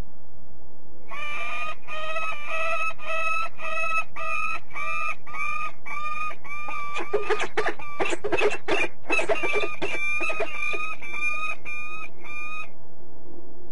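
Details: Peregrine falcon recorded at De Mortel in the Netherlands: a long run of rapid, harsh, ringing notes repeated roughly once a second, broken midway by a burst of loud clattering noise, then resuming.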